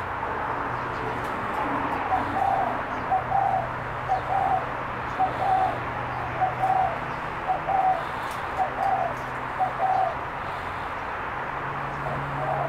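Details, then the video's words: A spotted dove gives soft, mellow cooing phrases, several grouped notes repeated for about eight seconds over a steady low hum; the finding is spotted dove. "Spotted dove calling"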